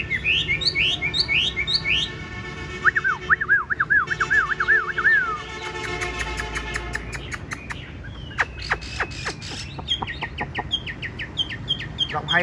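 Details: Chinese hwamei, a tame cage bird with yellow legs and yellow bill and a strong voice, sings looping whistles, then a rapid wavering trill, followed by a run of sharp clicks.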